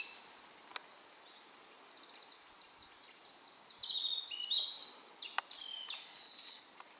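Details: A Narcissus flycatcher perched on a power line by a dim, tree-lined mountain path on Mount Maya on 4 June 2017 sings bright, high phrases of short whistled notes and trills, stepping up and down in pitch, over a steady hiss.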